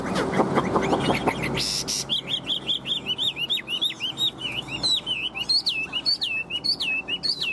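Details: Chinese hwamei, a tame bird carried by hand, begins after a burst of handling noise and low rumble, then sings a steady string of rich, looping whistles, each dipping and rising, repeated nearly twice a second.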